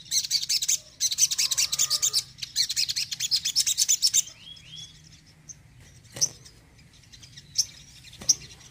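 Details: Crimson sunbird song used to stir up a bird that is off form: a dense, rapid, high twittering trill for about four seconds, then a few scattered sharp high notes over quiet background hiss.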